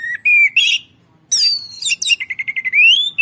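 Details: An orange-headed thrush, used as a lure bird, gives loud clear whistles followed by a fast trilled run of repeated notes ending in a rising whistle.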